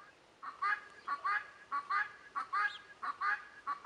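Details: Guineafowl calling in the background where Leghorn chickens are kept: harsh, nasal two-part notes repeated about every half second in an uneven series, fairly faint against a quiet hiss.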